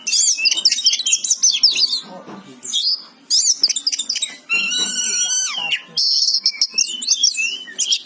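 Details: Oriental magpie-robin, described as a lively singer, giving rapid scratchy chatter, harsh buzzy bursts and a long nasal rasping note with stacked tones, phrases separated by short gaps, over a low background hum.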